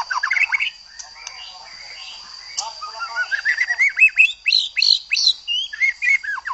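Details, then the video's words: A white-rumped shama delivers a varied song of quick rising and falling whistles and short chirps, increasingly loud and rhythmic toward the end, over a steady high electronic tone. "Murai Batu LANGSUNG GACOR dan NGEPLONG jika digandeng dengan murai ini"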